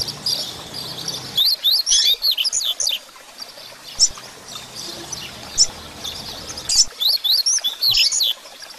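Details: A Double-collared seedeater sings in the Grego style, a tutor song to train other seedeaters: rapid chains of bright, looping whistled notes, a few isolated sharp notes in between, then another fast rolling phrase.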